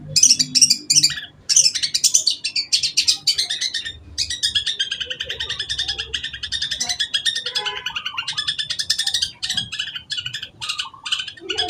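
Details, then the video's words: Long-tailed shrike (cendet) pouring out a sustained, high chattering song of rapid, scratchy, varied phrases that continues nearly unbroken, with brief squeaky notes near the end. "cendet pastol"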